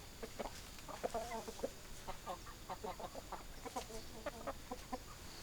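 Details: Hens clucking: a busy run of short, soft, repeated clucks and murmurs from several birds, spaced irregularly, with a faint steady hiss in the background.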